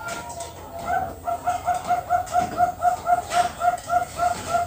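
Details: Bangkok-type zebra dove, captive-bred on a farm in Kroya, Cilacap, Central Java, Indonesia, singing a fast series of short, clipped cooing notes about four per second, evenly spaced over a steady background hiss.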